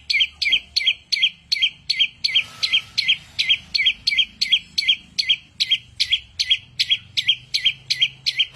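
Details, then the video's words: A loud bird, described as a genius mimic with a thousand and one voices, gives a steady series of sharp, high, sliding chirps, about three every second, throughout. A faint low hum is present. "burung jenius 1001 suara,suara cetar"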